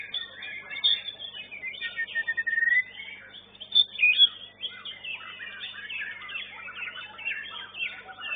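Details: White-rumped shama singing in a singing contest, where it placed third. Fast, varied song of sharp chirps, quick slurred whistles and rapid trills with loud bursts, over a faint low hum.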